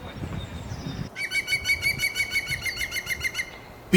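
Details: A Eurasian blue tit, a bird of wooded parks and gardens, sings a quick, high trill of about a dozen bright notes over two seconds, after a moment of a man speaking.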